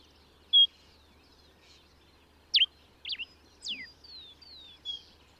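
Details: Common diuca finch (Diuca diuca) in Chile: a pure whistled note, then scattered sharp slurred notes and a falling sweep, followed by soft drawn-out whistles, over a faint low hum.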